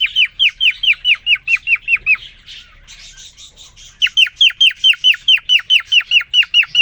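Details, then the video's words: Caged male cockatiel (quarrion) courting a new female: a rapid train of falling whistled chirps, a short break of softer buzzy notes, then another quick, even run. "The most amazing, and magical Cockatiel twitting you would ever hear."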